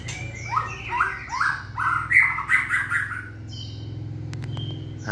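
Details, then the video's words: White-rumped shama in stamina training for 'lửa bó lông' singing: a run of six or seven rich, slurred whistled phrases repeated at a quick pace, then scattered sharp clicks and a soft high whistle over low background hum. "Tập lực cho lửa bó lông (shama bird)"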